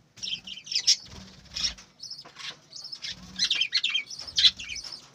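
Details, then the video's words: Budgerigars on a breeding farm chirping in short bright bursts, high twittering notes clustered in quick runs with brief pauses between, dense chatter rising and falling over about five seconds. "বজিগর পাখির ডাক । পাখির কিচিরমিচির শব্দ"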